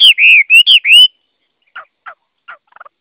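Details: Chinese hwamei, Garrulax canorus, sings four loud, drawn-out whistled notes, each swelling and slurring, followed by a few faint, short, lower notes.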